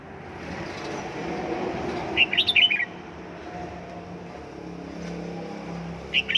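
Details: Caged red-whiskered bulbul in home training, Gia Lai: one quick bright warbled phrase midway and another starting at the end, over steady low background rumble.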